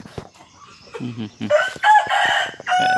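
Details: Ornamental junglefowl cross rooster, from a hen with junglefowl blood and a sire bred from bantam and Serama chickens, tame and handled. Low rustling and murmurs come first, then a loud, bright, harmonic crow that breaks into several strained segments.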